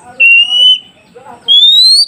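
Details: Two long, high, pure whistles from an oriental magpie-robin, the first level and the second rising, separated by a brief pause with soft low chatter, sung to get newly caught forest birds answering.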